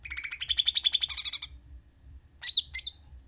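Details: Lively song of a sooty-headed bulbul: a rapid, stuttering trill rising step by step for about a second and a half, followed after a pause by two short, sharp chip notes.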